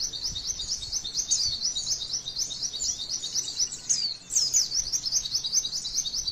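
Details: Female white-eye with a steady, fast, ringing chatter of repeated high zigzag notes, a song meant to trigger other white-eyes to sing, slightly faltering near four seconds before picking up again.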